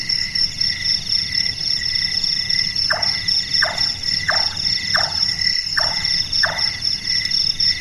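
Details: Burung tukang, the large-tailed nightjar, active after dark: a series of six hammering chonks at an even pace, each briefly falling in pitch, beneath persistent high cricket song.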